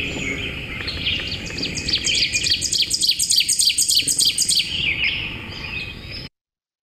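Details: Ovenbird, a forest-floor warbler often heard in forest, singing a loud, ringing 'teacher-teacher-teacher', about a dozen quick two-note phrases swelling in volume, over soft background hiss.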